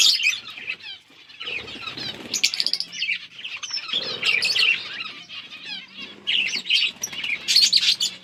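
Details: Eating budgerigars chatter in overlapping high warbles and clicking chirps. The chatter swells and fades in waves over a soft low hum.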